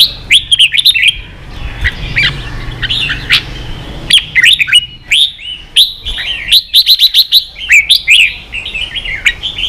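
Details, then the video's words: Red-whiskered bulbul 'ché' song for young-bird training: crisp whistled phrases of swooping notes in clusters, building to a fast run of repeated chirps toward the end. "luyện chào mào ché.kích chào nào hót ché căng lửa.kich chao mao boi hot เสียงฝึกลูกนก | นกปรอดหัวโขน"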